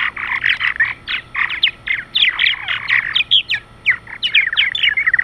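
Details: Evening flock of purple martins coming in to roost for the night, a dense, continuous chatter of many birds: gurgling, squeaky chirps and creaky notes tumbling over one another without pause.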